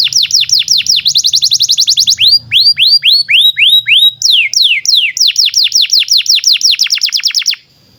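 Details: Canary master song for young canaries and non-singing birds: rapid rolling trills of falling whistled notes, a slower phrase of rising upward slurs, then more quick descending trills ending abruptly, over a faint low hum.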